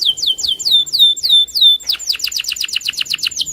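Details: Canary, loper type, singing hard against a rival: a string of drooping whistled notes, then a fast, even run of steep falling notes about three per second at first, quickening.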